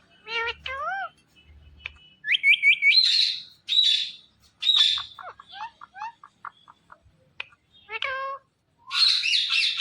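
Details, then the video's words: Green Indian ringneck parakeet, kept as a talking parrot, gives a varied run of sounds: clipped whistles, rising squeaky notes, short chattering bursts and harsh buzzy squawks, with brief pauses between phrases and a quiet background. "Amazingly Talking & Dancing Green Parrots"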